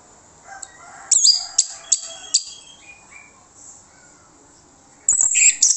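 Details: An orange-headed thrush, used as a trigger bird to provoke others into singing, gives sharp, high whistled and scratchy phrases in quick bursts, then a brief pause and a dense, tumbling flourish, over a steady high hiss.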